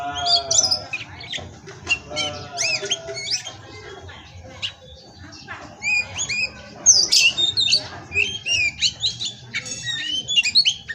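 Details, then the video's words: Oriental magpie-robin, a captive-bred male from an Indonesian breeding farm, singing a varied run of sharp whistles, rising and falling chirps and harsh notes in bursts, with a low hum underneath. "Masteran Pastol Kacer"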